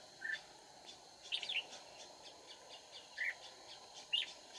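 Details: Red-whiskered bulbul at a trapping site, 31 March 2019: four widely spaced short, slurred whistled notes at low volume against a steady background hum.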